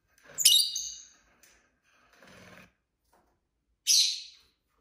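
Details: Pet lovebirds chirping: one sharp high chirp, soft rustling and murmuring noise in the middle, then a final loud, harsh chirp.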